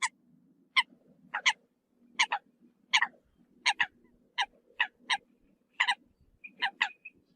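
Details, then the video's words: Eurasian coot calls used as a hunting decoy: short, sharp, nasal notes with bright overtones, given singly or in quick pairs about every half second, over a faint low hum. "TIEN CHIM SAM CAM CUC CHUAN TIENG CHIM MOI"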